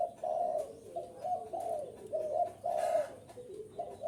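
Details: {'caption': 'Luring call of a spotted dove meant to pull in wild birds: mellow, husky coos in a rolling, uneven rhythm, with a few louder drawn-out notes, over faint background hiss.'}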